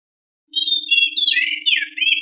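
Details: White-rumped shama song used as a lure to stimulate other birds to sing: after half a second of silence, rich clear whistles slide and warble into a rapid tumbling phrase, over a faint steady low hum.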